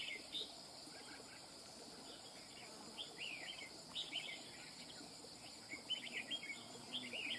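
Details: Wild-caught red-whiskered bulbul singing: quiet, quick, chattering whistled phrases that rise and fall, repeated in bursts throughout, over a steady high insect-like hiss and faint background noise.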